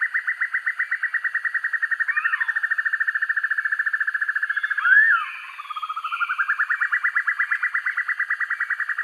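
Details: Black-and-yellow broadbill, a fierce-sounding master recording for training birds: a long, even trill of rapid buzzy pulses that runs for seconds, broken near the middle by a brief upswept note, then building again.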